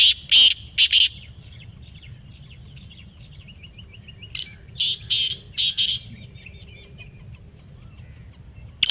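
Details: A black francolin in Pakistan answers a played call with rasping, clipped bursts: a short group at the start, a longer harsh series mid-way, then a single note at the end, faint low hum throughout.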